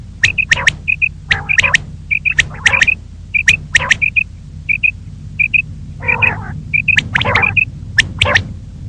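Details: Common quail, female, calling in the morning: paired soft, rounded piping notes alternate with sharp clicky triplets in a fast, steady series over a faint low hum.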